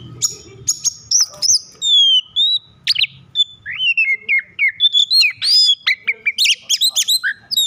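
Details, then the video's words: Over-excited Oriental magpie-robin, singing to prompt other magpie-robins to sing; sweet whistled notes, some held and some falling, alternating with sharp clicks and quick chattering bursts. "Kacer over emosi cocok untuk memancing Kacer lain agar bunyi dan gacor"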